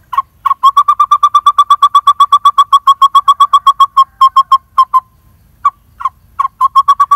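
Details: Nearly fledged lineated barbet chick in a dead durian tree hollow, screaming to its parents for food; long run of fast, steady, repeated piping notes, about four per second, then a pause and sparser notes.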